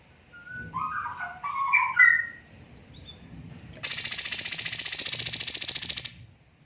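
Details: Cucak cungkok master for bird training, dense tembakan style: soft low warbling phrases first, then after a short pause a loud, fast, high rattling trill lasting about two seconds.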